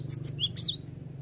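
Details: Cinereous tit song used as a lure to call rivals: two quick, piercing high chirps followed by a falling, slurred note and a longer twisting phrase, all in under a second, over a low hum.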